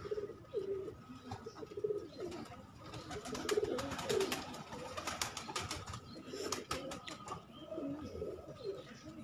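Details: Hobby-kept pigeons cooing in short low bursts near the start and again midway, over frequent clicks, scuffling and flapping sounds and a background hum.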